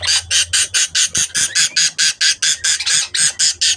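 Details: Rhythmic, scratchy budgerigar calls from a breeding setup: even, rasping bursts about two to three per second throughout, over a low background hum.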